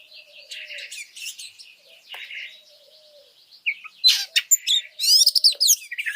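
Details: Oriental magpie-robin training song, meant to provoke: soft, scratchy warbling at first, then loud sharp chips and a buzzy downward-stepping rattle near the end.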